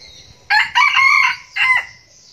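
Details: Loud close crow from a young red junglefowl decoy bird. A sharp opening note leads into a strained, drawn-out middle part and a short clipped ending, with a faint insect buzz behind.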